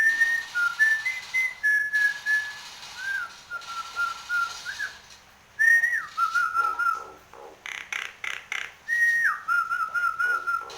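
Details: Nias hill myna, singing hard and nodding, mixes long level and downward-sliding whistles with bursts of rapid harsh clap-like pulses, whistled phrases recurring roughly every three seconds.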